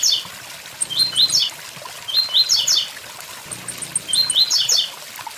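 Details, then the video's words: Blue-black grassquit song, three buzzy bursts of rising chips spaced roughly 1.7 seconds apart, set against the steady hiss of a waterfall with faint high ticking notes. "Tiziu tui tui zel zel com som de cachoeira"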